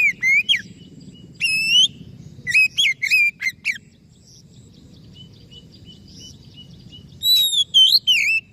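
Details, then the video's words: White-rumped shama in a cage, said to be singing loudly again after silence and stress, pouring out rich whistled phrases with buzzy overtones, a quiet gap with faint chirping, then another loud burst. "KACER MACET BUNYI & STRES PASTI NYAUT PULIG GACOR LAGI"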